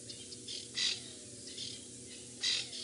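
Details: Early morning, 25 February 2018, in a South African game reserve near lions: francolins perched in trees on each side, upset at a predator, give harsh, scratchy alarm squawks in short bursts, several in under three seconds, over a faint low hum.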